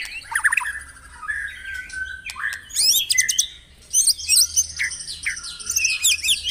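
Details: Varied song of the white-rumped shama, meant to stir caged birds into song at morning: mixed slurred whistles and harsh high bursts separated by short pauses, with a steady whistled note midway.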